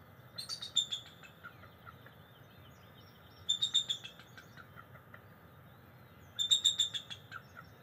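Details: Bald eagle pair perched beside their nest at NCTC, calling back and forth on a July 22, 2023 morning; three bursts of high, thin, staccato chattering trills about three seconds apart over a faint low background hum.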